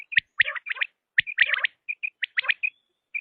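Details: Quail uttering sharp, high chirps and short buzzy notes in quick irregular bursts, separated by brief silences.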